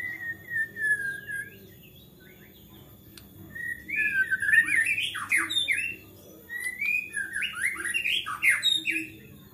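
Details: Agitated white-rumped shama singing that provokes other shamas to sing: long falling whistles followed by a dense burst of buzzy, churring and chattering notes, then whistles again, low hum indoors.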